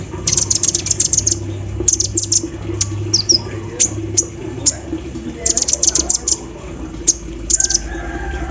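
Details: Sunbird (kolibri ninja) singing energetically while set out in the morning dew, song filled with embroidery-machine mimicry: rapid bursts of very high, sharp ticking chips in quick clusters, over steady low hum.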